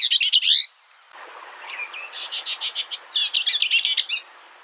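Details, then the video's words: Skylark song in two parts: a loud warbled phrase, a short pause, then a steady string of quick high chirps running into rapid trilled warbling. "Beautiful skylark bird Sounds"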